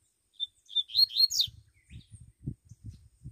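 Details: Double-collared seedeater (Sporophila caerulescens) singing in the bush: a quick, high twittering phrase of slurred notes lasting about a second, followed by low muffled thumps and murmuring.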